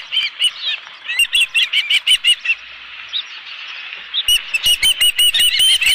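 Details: Osprey on the Dunrovin Ranch nest holding a live fish, 11 July 2018: two bursts of rapid, high piping chirps separated by a quieter pause, with flapping or rustling in the final seconds.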